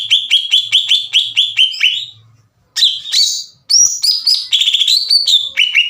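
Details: Greater green leafbird singing as a lure to stir up other leafbirds: a run of about ten repeated sharp chirping notes, a pause, then rapid high trills and whistled phrases.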